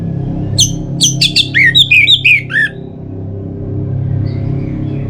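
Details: Orange-headed thrush singing, a lure for kept birds in wet and dry seasons: high sharp notes leading into a descending chain of about eight slurred whistles, over a constant low hum.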